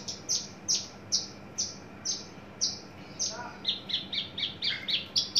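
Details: {'caption': "Loud downslurred sweeping notes from a caged adult male Horsfield's bush lark entering breeding condition, spaced at first, then quickening into a brisk run of chirps."}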